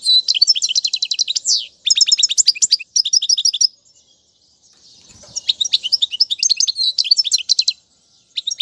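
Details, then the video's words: Goldfinch song used to tutor fledglings: rapid bursts of high tinkling, clicky trills in phrases about one second long, broken by a clear silent gap of around a second before lively twittering resumes. "أفضل تغريد الحسون"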